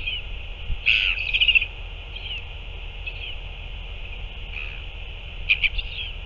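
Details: Northern royal albatross at feeding time, 9 February 2024. A loud rasping burst and a quick chatter come early, then faint scattered notes and two brief clicks, all over constant high-pitched background hiss.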